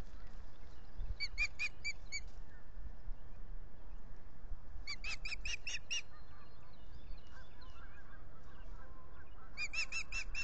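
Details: Osprey pair at their lakeside nest at Salt Point, mating at dawn on 9 April 2021 around 6:22 am, nest camera: three bursts of about six quick, high, clipped whistled notes, spaced a few seconds apart, over steady low background rumble.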